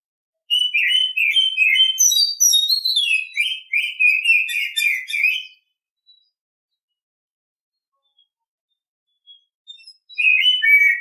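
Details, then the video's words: Oriental Magpie-Robin in morning song: a five-second burst of varied whistles and scratchy warbles, high notes dropping into lower rapid chatter, then a pause of near silence before the singing resumes. "Nghe chim chích chòe than hót hay mỗi sáng"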